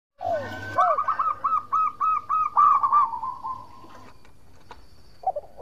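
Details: Local zebra dove singing vigorously, a recording meant as a lure to make rival doves answer; a quick run of short, bubbling coos, roughly three per second, sliding into a drawn-out trill, then quiet.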